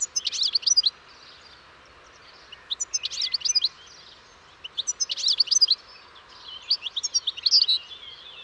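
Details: European goldfinch delivering four short bursts of bright, tinkling twitter, each under a second long and spaced about two seconds apart, with near-silence between phrases.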